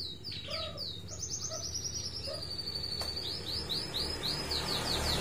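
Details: White-rumped shama after moulting, trained outdoors while sunning: lower hollow notes mixed with high sweeping whistles, then a long rapid trill of rising notes easing into spaced, bright repeated whistles; steady hiss behind.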